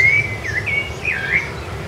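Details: Rufous-bellied thrush, Sabiá-laranjeira, recorded in January 2013 on Ilha do Governador, Brazil: clear whistled phrases near the upper-middle range, looping down and back up in quick succession, with a faint low background hum.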